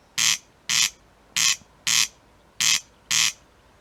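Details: A corncrake (Crex crex) seen very close in the evening at Simuna, Väike-Maarja parish, Lääne-Viru County, Estonia, 12 May 2018, gives dry, rasping 'crex-crex' calls: six harsh scraping notes in loose pairs, about two pairs every second and a half.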